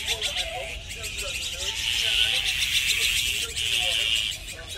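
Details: Flock of azure-winged magpies, a resident, family-bonded species that mobs predators together, gives harsh, rasping, buzzy calls overlapping almost continuously, with a faint human voice underneath.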